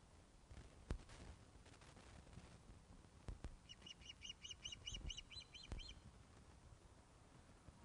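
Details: During a fish delivery at the Loch of the Lowes osprey nest, 21 August 2012 at 16:35: after a few knocks, a run of about nine ringing whistled notes, evenly paced, over low rumbling background.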